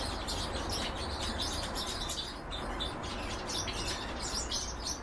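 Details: Goldfinch × canary hybrid twittering in quick bursts of high chirps and buzzy trills, with a brief lull midway, over a noticeable low rumbling background.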